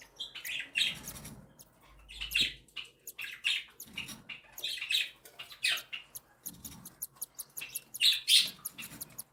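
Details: Indoors, a mother cockatiel feeds her three chicks, one just hatched and two a week old; the chicks keep up rapid, raspy, high chirping in dense bursts, with faint low rustles.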